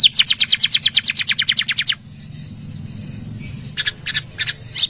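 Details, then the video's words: Canary, gacor song with long nembak runs used to teach other birds: a steady rapid trill for two seconds, a quiet gap, then a few brief buzzy bursts. "Suara Kenari Gacor | Full Nembak Panjang!!"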